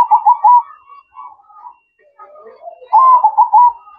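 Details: Zebra dove's melodious manggung song at night. A quick trilled coo opens, softer murmuring follows, then a louder rolling burst of staccato coos at a steady mid pitch closes the phrase.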